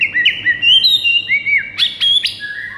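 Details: White-rumped shama, morning training song intended to spur other shamas into singing: quick series of wavering whistled notes, then sharp high flicks and a slurred ending phrase, loud and clear.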